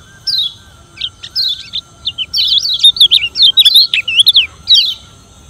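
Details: Yellow white-eye (kecial kuning) from Lombok, a challenging song used to provoke rivals: rapid high sweeping whistles and chirps in bursts, quick squeaky notes tumbling up and down, a steady faint hum in the background.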